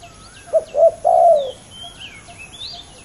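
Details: One of two competing male spotted doves gives a single phrase: two quick coos and a drawn-out hoarse note that drops away, then quiet with light whistles and chirps from other birds.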